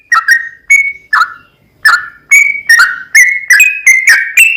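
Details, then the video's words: Sooty-headed bulbul in long continuous chatty song, played to agitate and draw another bird into singing: clear, slurred whistled notes with bright overtones, spaced at first, then coming faster at about two per second. "TRucukan Gacor ROPEL PANJANG PAncingan TRucukan Agar BUnyi"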